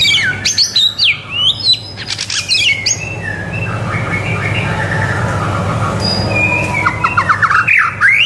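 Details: White-rumped shama (murai batu) song used as a tutor for young shamas to learn singing: varied whistled phrases with fast sliding notes and sharp chips, under a steady low rumbling background noise.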